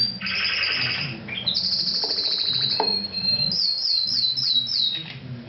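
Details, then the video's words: Orange mosaic Isabel canary delivering a simple, loud song: buzzy rolled notes, a long high whistle, then a series of quick descending chirps repeated about every half second. "ESCOLTEM EL CANARI"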